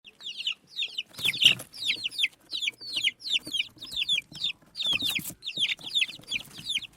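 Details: Baby chicks chirping: a steady run of high, downward-sliding peeps, several each second, with brief broadband knocks and scuffles around the middle and near the end.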